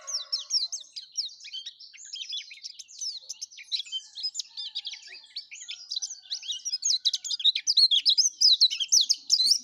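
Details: High, busy twittering from an energetic yellow-breasted white-eye, notes packed tightly and growing louder and faster toward the end, with a brief low rattle at the start.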